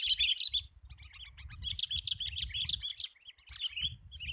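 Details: Sooty-headed bulbul, described as very fierce, at a bird-trapping spot: fast excited twittering in dense bursts, brief lulls between runs, over a steady low rumbling background noise.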